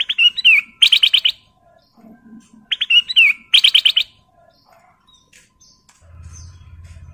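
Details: A male Sooty-headed bulbul in breeding condition sings to call a female: two bright, bubbly phrases about three seconds apart, a few slurred notes then a quick burst of five chirps, with a low hum at the end.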